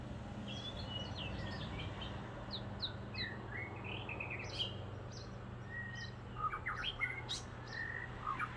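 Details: White-rumped shama song outside windows on Kauai: a varied run of clear whistles, rising slurs and short chirps, with other birds and a steady low mechanical hum (fan) behind.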